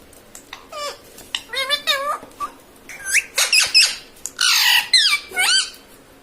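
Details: Pet parrot that talks, saying words like mummy and papa; a string of short, scratchy, squawky syllables with quick upward and downward bends, some harsh noisy bursts near the end, over a steady room hum.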